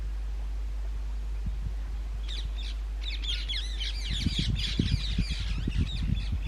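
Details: Rose-ringed parakeets (Indian ringneck green parrots) at natural nest holes in an old railway bridge during the summer breeding season: after a quiet start, a dense chorus of harsh, arched screeches from several birds, with low thumps underneath.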